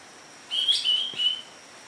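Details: Greater green leafbird, a newly acquired medium bird, delivering a brief whistled phrase of two or three clear connected notes lasting about one second, against a quiet background with a faint constant high hum.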